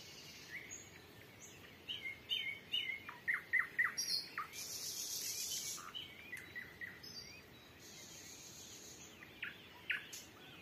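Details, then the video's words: Three nightingales trade phrases over a small patch of countryside in Russia's Volga region at sunset, June 2023, air completely still; a burst of quick chirped notes, then buzzy rattles and scattered whistles. "СОЛОВЬИНЫЕ ТРЕЛИ"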